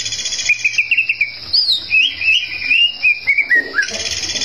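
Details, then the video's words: Greater green leafbird in full song, said to stir rival birds into fury; a run of clear whistled notes wavering up and down, about one per second, with one higher sweeping note and a falling end. "cak ijo gacor bikin, lawan ngamuk"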